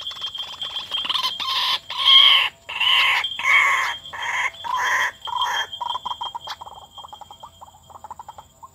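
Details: White-breasted waterhen call used as a lure to attract the birds, 2019: loud harsh croaking notes in a rhythmic run, then a quicker train of shorter, softer clucking notes trailing off.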